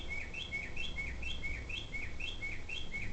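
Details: Unidentified bird calling at 11 pm: a fast, regular series of short high chirps, each a sharp note dropping into a lower slur, about two or three per second, over steady background noise.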